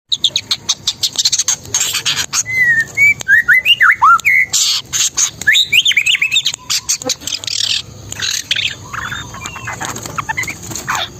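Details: Long-tailed shrike, spotted type, pouring out its mimicked repertoire: short whistled and slurred notes, rising and falling, given in quick varied sequence amid harsh broadband bursts and background noise.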